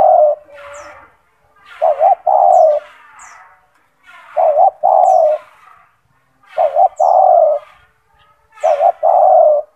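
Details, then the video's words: Spotted dove (tekukur), a kept bird described as gacor with a big, loud and strong voice, used as a model song for training other doves; deep hoarse coo phrases with a stuttered start, repeated about every two to three seconds. "Suara burung tekukur gacor"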